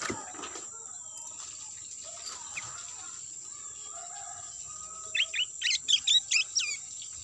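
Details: Sooty-headed bulbul call used as a lure to attract birds. After a quiet start, a quick run of about eight short, bright, bubbly notes comes near the end, over a steady high whine and faint background chirps.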